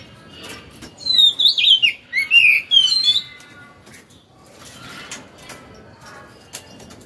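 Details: Caged Oriental magpie-robin, kept two years in a cage, singing as soon as it is hung up: a burst of loud, clear whistled phrases that sweep up and down for about two seconds, followed by quiet background with faint clicks.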